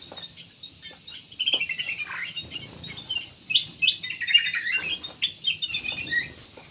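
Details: Black-naped oriole singing as a lure to prompt other birds: a softer, rapid stream of high chirps and descending slurred notes, with dense twittering bursts over a faint background hiss.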